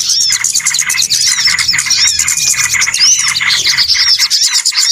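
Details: Many small birds call together on a trapping lure track: unbroken high twittering with quick repeated chips and occasional arched whistled notes rising and falling, forming a dense, busy wall of sound.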